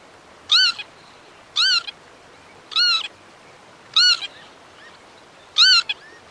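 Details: Five short, wheezy arched calls from a Northern lapwing, repeated about once a second, each note rising and falling quickly with a brief faint tail after it.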